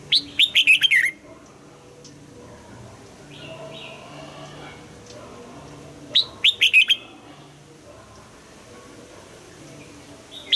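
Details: Red-whiskered bulbul trained to sing at dawn in the double-note old-forest style, giving brief bright warbled phrases spaced about six seconds apart, with faint quiet chirps between.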